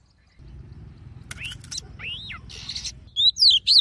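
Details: Oriental magpie-robin singing a forest-style song used to fire up males and train singing voices. Low background rumble leads into a few rising whistled slurs and a buzzy burst, then three sharp, loud swooping whistles near the end.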